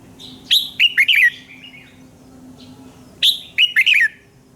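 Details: Red-whiskered bulbul giving its morning song as a training voice: two rich warbled phrases, each a run of three or four fast, swooping notes, separated by about three seconds of quiet with a low steady hum.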